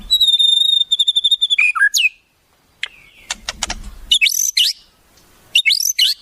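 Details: Shama song with fills copied from wild birds: a sustained high pulsing whistle, sharp clicks, a short pause, then scratchy rising, sweeping notes repeated twice.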